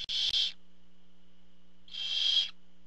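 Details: Barn owl at a camera-watched nest as the male parent arrives with food: two harsh, hissing screeches about half a second long, separated by roughly a second and a half of quiet, over a steady low electrical hum.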